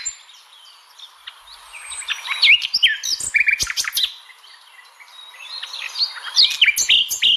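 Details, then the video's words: Nightingale singing rich, varied phrases of sharp whistles, rapid trills and clicks, loud bursts broken by brief pauses, with other faint high bird notes behind, possibly in the Stavropol area, Russia. "Пение соловья"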